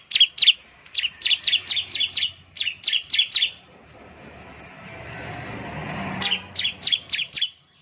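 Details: Ciblek, or Bar-winged Prinia, lure recording to set birds singing: a fast series of about a dozen high, sharply swept chirps, then a few seconds of rising murmur and traffic-like rumble before another quick run of chirps.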